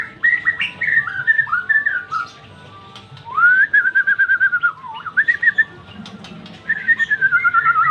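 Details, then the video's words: White-rumped shama song: varied clear whistled phrases, some slurred and rising, interspersed with rapid stuttering pulsed series and short chips, phrases separated by brief pauses. "Merdunya kicauan burung ini"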